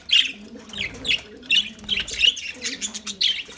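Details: Short, squeaky lovebird chirps repeat roughly twice a second over a muffled background of low dove-like cooing.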